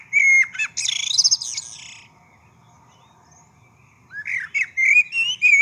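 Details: Brewer's blackbird (Euphagus cyanocephalus) in Saskatoon, Canada, giving two bursts of high, squeaky, creaking and whistled notes, separated by about two seconds of near silence.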